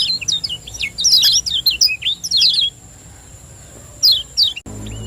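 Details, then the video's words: Lombok lemon-bellied white-eye, a champion bird, recorded as a lure to stimulate singing: a rapid burst of high, varied twitters and slurred chirps for nearly three seconds, a pause, then two more downward chirps before a sudden cut. "Ciak Joss Kecial Kuning Gacor • Cepat Rangsang Bunyi Pancingan Kecial Kuning Lombok Juara"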